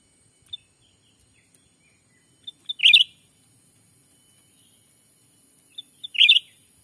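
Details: Wild-bird lure of a black-capped bulbul, Sumatran forest, daytime: scattered high ticks, then pips running into a strong chattering warble, heard twice roughly three and a half seconds apart.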